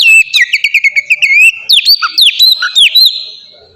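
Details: Oriental magpie-robin singing as a lure for captive birds: a fast train of sharp repeated notes over a steady whistle, then several rising and falling whistled phrases that fade out.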